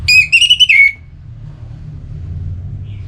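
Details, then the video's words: Orange-headed thrush, a sound for rousing birds to sing: a short, rich whistled phrase of four quick wavering notes, then near silence with only a low hum. "Suara Ini Bisa Membangkitkan Burung ANIS MERAH agar Jadi Gacor"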